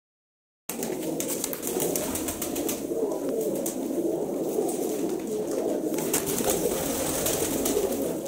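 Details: Many pigeons of good breed, kept for sale and said to be proven flyers, coo together in a dense low murmur throughout, with scattered wing flaps and rustling.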